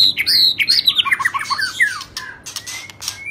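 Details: White-rumped shama of the shrimp-tail form singing in the rít thuốc lào style: a fast run of varied whistled and chirped notes sweeping between high and mid pitch, fading into a thin rising whistle, over a faint low hum.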